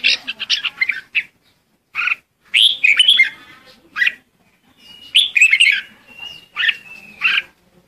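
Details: Red-whiskered bulbul singing a lure song to call the flock: short bursts of bright, chirpy, warbled phrases separated by brief pauses, with a thin steady whistle running faintly beneath the later phrases.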